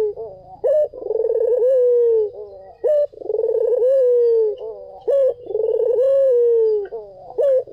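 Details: Cooing song of a white collared dove, with deep, resonant, drawn-out coos that sag in pitch toward the end, repeated in a regular rhythm with brief clipped notes between phrases.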